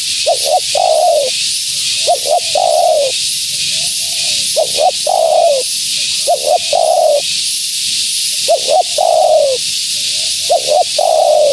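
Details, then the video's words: Spotted dove hen calling steadily as a lure for wild doves; about six phrases of paired short notes ending in long downward coos, separated by brief gaps, with softer coos and continuous hiss behind. "Suara Burung Tekukur Betina Gacor‼️Tekukur Liar Pasti Tak Tahan Mendengar Suara Ini"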